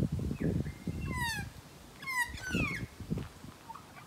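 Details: Magpie met at close range, giving two bursts of harsh, falling, nasal calls with a strained, rasping edge, over low rumbling background noise.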